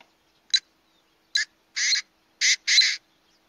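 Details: A painted francolin calling at Saswad near Pune, India, in September 2019 gives five harsh, rasping notes over three seconds: a short bark, then longer grating syllables ending in a quick pair. No other sounds.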